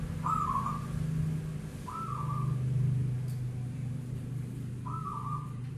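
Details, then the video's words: Local zebra dove at night, uttering three short trilled coos about two seconds apart while a deep humming drone runs underneath. "perkutut bunyi Malam hari"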